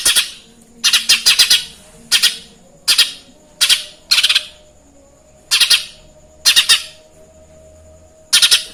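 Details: Lesser green leafbird singing material copied from the Eurasian tree sparrow: short clusters of harsh, rasping chirps repeated at uneven intervals of roughly one second, with quiet gaps between bursts.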